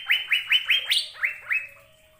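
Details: Asian fairy-bluebird song: seven clear whistled notes that swoop upward in quick succession, one higher note in the middle, then silence.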